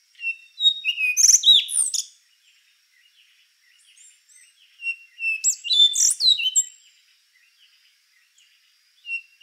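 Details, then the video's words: Song of the rufous-brown solitaire, two long bursts of mixed whistles, sharp rising and falling notes and jumbled twitters about two seconds each, separated by quiet gaps, with a third phrase starting at the end. "Canto do Sabiá Castanho | Rufous-brown Solitaire"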